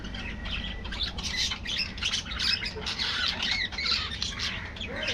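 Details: Aviary budgies chattering loudly, scratchy squawks and bright chirps in fast irregular bursts from many birds at once.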